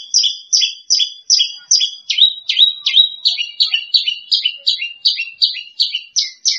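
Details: Second-place contest bush lark delivering a steady, fast run of about eighteen sharp, high two-part chirps, evenly paced at nearly three per second, with the pitch shifting slightly midway and at the end.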